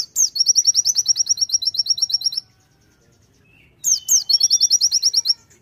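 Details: Two tembakan bursts from a vigorous konin Sunda white-eye, each opening with steep swoops and running into rapid, evenly spaced, very high chirps, with a short silence between.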